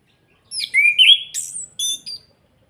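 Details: Orange-headed thrush from Salatiga giving a kretekan call, used as a lure to provoke other birds into singing: a burst of high chattering notes, then a rising whistle and sharp, scratchy squeaks ending in two clear whistled notes.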